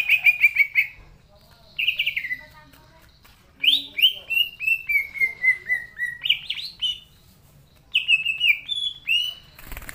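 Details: Greater green leafbird in full song, loud bursts of rich whistled notes sliding down, each phrase of rapid repeated notes around two to four kilohertz, broken by short pauses and ending in clicks.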